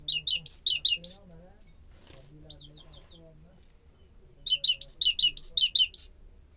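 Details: Bukhara tit singing: two bursts of rapid, high, whistled two-note phrases, about six repeats each, opening and closing the recording, separated by a quiet gap with faint low voices.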